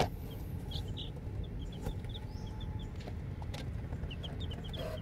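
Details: Just-hatched chicks of domestic chicken give scattered high, thin peeps, some doubled, against a constant low rumble and occasional clicks.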